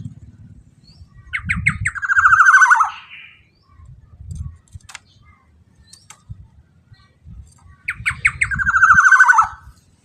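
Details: Black-naped oriole, used as a lure to provoke other orioles into singing: two loud bouts, each a few short sharp notes then a long harsh, nasal, descending note, with low thumping sounds in between.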